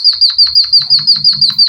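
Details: Rapid canary-style trill from a Java sparrow: clear, high, chirping notes pulsing very regularly, roughly six each second, with a soft low hum behind.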